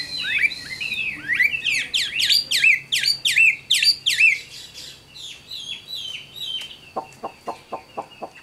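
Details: Caged Chinese hwamei, a forest-matured bird with a good voice, repeating loud, sweeping whistled notes several times a second, then softer phrases and a run of sharp ticking clicks.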